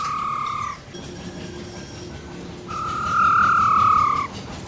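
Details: Female silver-eared laughingthrush giving her wild-style song, used to fire up males: a pure whistle, then a pause of about two seconds, then a longer whistle that swells and fades gently downward.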